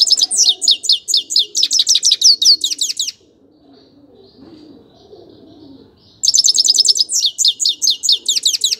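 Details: Grey-crowned goldfinch delivering bright, rapid twittering phrases of high chirps and slurs, pausing for about three quiet seconds, then resuming with another quick liquid run.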